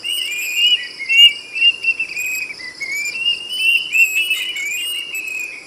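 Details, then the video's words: Plaintive cuckoo singing a continuous string of softer whistled notes that waver, dip and rise again, with no clear pauses. Constant shrill insect buzzing fills the background. "SUARA BURUNG KEDASIH ‼️ SIULANYA NYARING BANGET"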